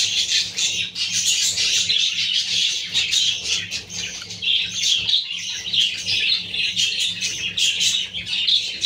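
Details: Young budgerigar chicks kept with a pair of budgerigars: dense, continuous high chirping and twittering from several birds at once, with a steady low hum underneath.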